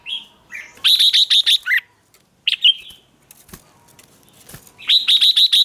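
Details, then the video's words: Red-whiskered bulbul used as a lure for wild birds: strings of rapidly repeated bright whistled notes, a short downslurred note, and brief single chirps, with a couple of dull thumps. "Chào mào mồi gọi bổi không tạp âm"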